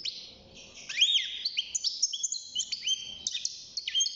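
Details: European goldfinch, a young cage bird aged six months just beginning to sing, produces a fast jumble of high sweet whistles, upward swoops and buzzy trills, steady and continuous.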